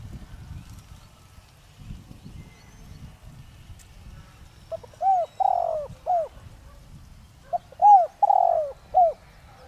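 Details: Decoy spotted dove singing in the 'Đồng Rặc' voice style to prompt wild doves to answer: after several quiet seconds of low rumble, two cooing phrases of a stutter note, arched hoots and a long falling coo.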